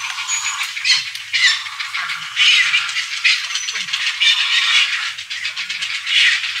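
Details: Grey heron nestlings at an island heron colony give a dense, continuous chatter of rapid, rattling, ticking calls, rising and falling in waves from many chicks at once.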